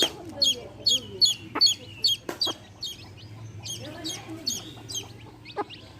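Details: Baby chicks beside a hen chirp in a short run of high peeps, then more scattered calls, with low soft hen clucks and a few sharp clicks in between.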